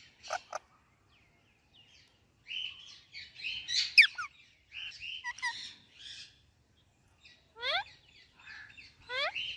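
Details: Indian ringneck parakeet chirping with an Alexandrine parakeet: clusters of chattering chirps, then a pair of sharp descending screeches near the end, separated by brief pauses.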